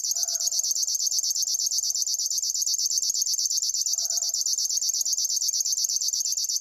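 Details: Rapid, rhythmic zizzing of a river warbler, high pulses ticking evenly like a sewing machine without pause, while a faint lower note rises twice in the background.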